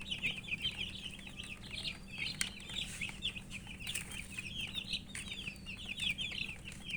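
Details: Poultry chicks thirsty for water, a softer, more distant flock keeping up a constant stream of high downslurred peeps, with faint clicks and a low steady hum behind.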